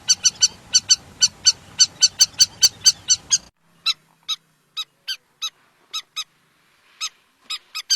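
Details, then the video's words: River lapwing calling: sharp, metallic harmonic notes repeated rapidly, about four per second for three seconds, then spaced single and paired notes after a brief gap, with a low background hum early on. "River Lapwing Call | হট্টিটি পাখির ডাক | Titahari ki Awaaz | River Lapwing Bird Sound"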